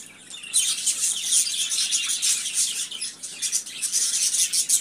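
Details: Budgerigars begin after half a second of near silence, then burst into dense, fast twittering of squeaky high notes and gritty chirps.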